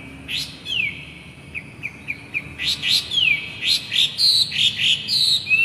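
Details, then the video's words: Hwamei laughingthrush (poksay hongkong) in full song, giving a quick run of clear, high whistles, several slurring downward, about three notes a second, building louder toward the end over a faint low hum. "BURUNG POKSAY GACOR"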